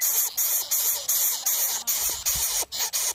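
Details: Three greater coucal chicks in the nest beg greedily, overwhelming their parent, with harsh, breathy hisses in rapid bursts about three times a second, each rasp broken by a brief pause.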